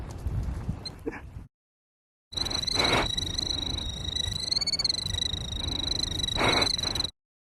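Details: Killdeer guarding its nest at Iona Beach, Richmond, BC, Canada: a long, sustained, shrill high trill that holds steady for several seconds, broken by a short gap, with background rumble.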